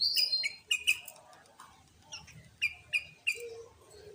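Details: Sooty-headed bulbul singing, recorded as a lure to provoke other bulbuls into loud singing and to challenge rivals: short, sharp chirped notes, some in quick pairs, repeated in bursts across the clip with quieter pauses between.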